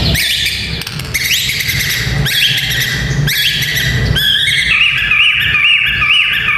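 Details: White-rumped shama fighter song for training young males: repeated rising buzzy notes, then a rapid wavering whistled trill, over a continuous low hum.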